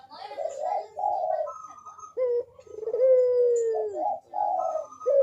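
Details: Lure cooing of a Barbary dove meant to prompt reluctant doves to call: low mellow coos, one long drawn-out note sliding downward mid-clip, while thin whistled chirps of other small birds sound above.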